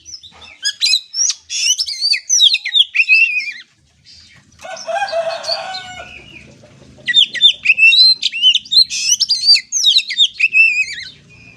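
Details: Oriental magpie-robin (kacer) song played to build a young bird's confidence: bursts of varied, quick whistled and slurred notes, broken by a harsh scratchy rattle, then another lively run of high twisting whistles.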